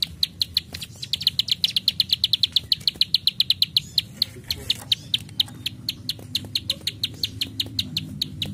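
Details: Plain prinia in full 'klik klik' delivery: fast run of high clicks that tightens into a rapid burst, then loosens into slower ticking, low hum underneath.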